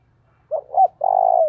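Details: Single coo phrase from a spotted dove calling to lure others in the early morning, native field-voice style: two short rounded notes, a brief pause, then a long, level, low coo that fades at the end.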